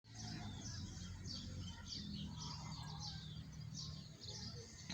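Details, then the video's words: Several birds chirping beneath a Bakayan tree, many short high chirps and twitters overlapping throughout, set over a steady low rumble of background noise. "Beautiful Bakayan View Underneath with chirping of Birds"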